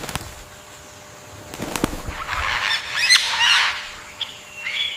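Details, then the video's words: Harsh, honking cry of an Indian peafowl, a broad, ringing burst of about a second. Sharp knocks come earlier, and a brief, thinner note trails after it. "peacock bird, the indian peafowl, most clear sounds"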